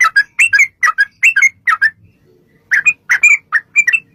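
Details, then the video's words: Yellow-vented bulbul performing 'gacor' song intended to make other bulbuls sing in reply. Bursts of bright, bubbling two- and three-note phrases, a brief quiet gap near the middle, then more chirpy slurred notes. "trucukan gacor TARUNG ROPEL PANJANG pancingan trucukan agar bunyi jadikan burung trucuk gacor NYAUT"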